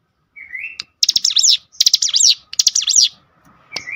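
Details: Cinereous tit singing after being provoked by a lure recording. A rising whistle opens three quick, loud phrases of high, buzzy, up-and-down notes, followed by a short pause and another whistle.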